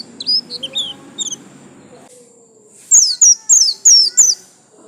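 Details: White-eye in 'gacor lasroll' song: a few high twittering chirps, a short pause, then five loud, sharp, steeply falling whistles in quick succession.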